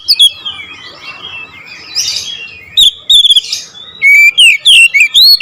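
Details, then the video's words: Oriental magpie-robin, nembak ngerol style, starting with faint, scratchy warbling before breaking into a loud series of quick, clear whistled notes in the final second and a half. "KICAUN KACER NEMBAK NGEROOL"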